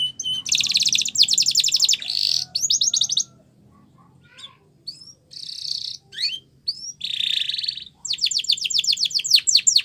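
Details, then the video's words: Singing canary used as a training song: rapid metallic rolls and dense buzzy trills broken by short pauses, a few single upslurred chirps, then a quick sharp trill closing the phrase. "Your Canary Will Sing A Lot With This Voice"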